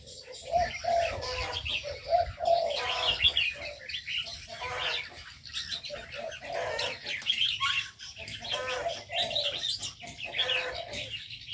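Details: Aviary birds with wing flutters: short low clucking notes recur among steady high chattering and chirping from many birds, and a sharp rising whistle cuts through around the middle.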